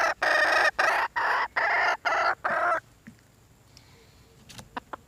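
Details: Red junglefowl giving six loud, rasping, clucking notes at an even pace, about two per second. Quiet follows, broken by a few soft ticks and taps.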